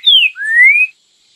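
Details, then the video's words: Green-winged saltator (trinca-ferro) giving the prized "Bom Dia Seu Chico Boi" song: two loud, clear whistles, the first sliding down, the second gliding slowly upward, then silence. "Trinca Ferro Bom Dia Seu Chico Boi o Canto Mais Apreciado Pelos Passarinheiros"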